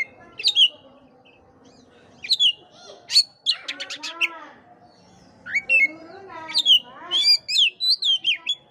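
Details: Oriental magpie-robin song to spur a listless kept bird into singing; varied whistles, a burst of rapid buzzy notes, then a busy run of sharp repeated chirps toward the end.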